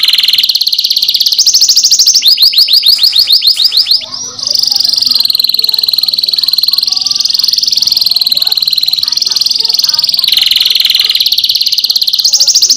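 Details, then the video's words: Energetic caged canary song used to prompt other canaries to sing, with long rapid trills shifting between high pitches, a burst of repeated downward-swooping notes, then sustained rolling trills. "PANCINGAN KENARI GACOR NGEROL NEMBAK | CANARY SINGING"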